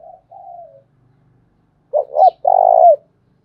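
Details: Spotted dove decoy bird cooing to rouse wild doves into calling back: soft low notes, a gap, then two short throaty coos and a longer rolling, vibrating coo ending in a falling slur.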